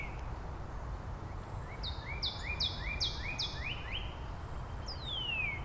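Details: Neighbouring Northern Cardinals counter-singing in Angrignon Park on March 19; a series of loud upward-sliding whistles, one high then several lower, repeated about twice a second, ending in a long clear downward slur, over low background hum.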